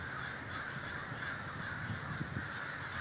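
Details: A huge gathering of crows in Davis, California, producing a continuous wall of overlapping raspy caws, with a few sharper peaks late in the clip.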